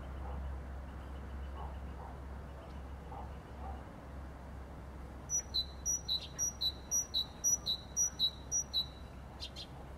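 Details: Great tit singing in spring: a bright, ringing two-note phrase, high then lower, repeated quickly about six times after a quiet start, with low background hum.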